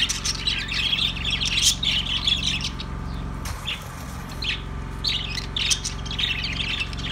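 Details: Budgies warble in squeaky chirping bursts, fall quiet for about a second in the middle, then resume with separate sharp chirps, background hum throughout.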